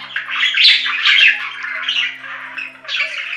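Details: Budgerigar gives raspy, buzzy warbles in a near-continuous stream, louder at first then softer, with a fresh burst near the end and a low hum behind.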